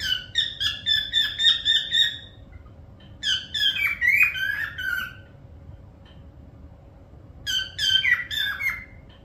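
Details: Parrot producing quick repeated raspy chirps in three bursts with long gaps between, each burst a fast string of harsh notes, low hum in the background.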